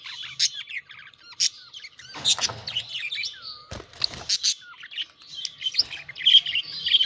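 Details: Courting and mating budgerigars kept as pets give busy warbling chatter mixed with loud sharp chirps and a few slurred whistles, the birds calling almost without pause, with brief rustling or wing noise in between.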